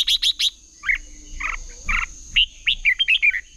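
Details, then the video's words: Red-whiskered bulbuls in competitive singing, used to rouse and train birds: three quick sharp chips open, then a few rougher, burry notes, ending in a tumbling run of bright whistled syllables. "Chào mào hót đấu"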